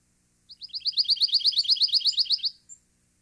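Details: Pine Warbler song played as a recording during a birding-by-ear lesson, which listeners called more musical and sweeter: an even, rapid trill of about seventeen high slurred notes lasting two seconds, in an otherwise quiet setting.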